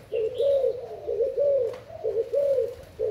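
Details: Spotted dove, Thailand type, delivering low rounded coos that swell and fade, about one phrase per second, with a brief faint higher chirp from another bird at the start.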